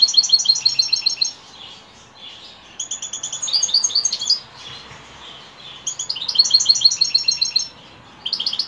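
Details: A European goldfinch sings in the evening in lively, tinkling runs of rapid chirps and twitters. Three main phrases are separated by quieter pauses.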